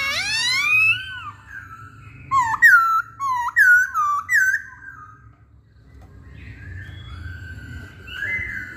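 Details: Hwamei singing: rich whistled phrases that swoop down and up, then a run of five loud, clear, slurred notes, and softer warbled whistles after a short pause.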